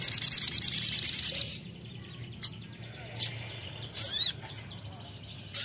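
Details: Crimson sunbird singing a rapid high-pitched trill of about fifteen clipped notes over a second and a half, followed by scattered single sharp chirps and a brief buzzy flourish against a low steady hum.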